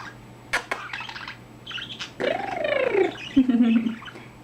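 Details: Pet male budgerigar that has recently found his voice, chattering indoors: scattered sharp clicks and buzzy notes, then a long warbled, sliding run of notes, with a woman speaking softly nearby.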